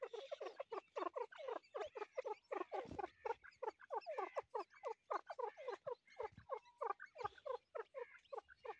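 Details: Baby grey partridge peeping in the breeding season, with quick downward-sliding chirps tumbling one after another for the whole stretch, steady and busy, with a few soft thumps below.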